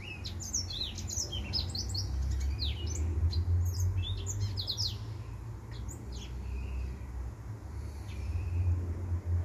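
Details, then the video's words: Male white tip finch singing: rapid, high, thin chirps and short downslurred and upslurred notes in quick, irregular bursts throughout, over a steady low hum. "White Tip Finch"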